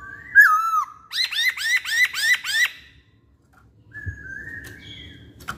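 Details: Chinese hwamei in energetic song: a loud slurred whistle, then a fast run of six identical rising-falling whistled notes, followed by a quiet pause and softer drawn-out whistles.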